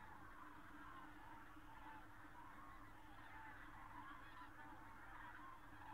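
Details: Common cranes outside Berlin, Germany, in late October 2015: many birds trumpeting at once, a thick, unbroken chorus of loud, bugling calls with low rumbling noise beneath.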